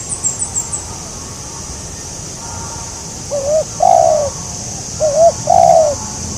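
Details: Spotted dove calling while being targeted with a decoy; after a few quiet seconds and brief high twitters, two coo phrases, each a short quavering note and then a longer falling coo.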